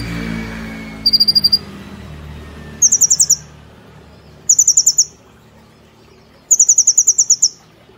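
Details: Brown-throated sunbird held in a cage, giving spaced bursts of rapid high rattling trills, each lasting under a second, repeated every one to two seconds. Low rumbling background noise is heard at the start.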